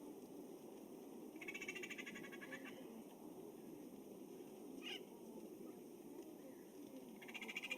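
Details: Two dry, rapid rattle calls, each about a second long, over a steady low hum; in Pinyon Jays this rather uncommon call is made by females.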